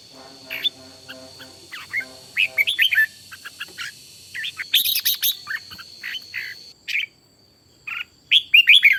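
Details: Red-whiskered bulbul trained as a decoy sings in the morning: repeated bright chirpy phrases and scattered notes, with a low humming, droning sound at the start and a continuous high tone behind.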